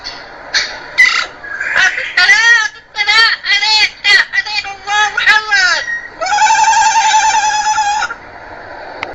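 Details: Parrot reciting Quran and speaking Arabic: a fluent string of harmonic, speech-like syllables with wavering pitch, ending in a long, steady, nasal drawn-out vowel of about two seconds.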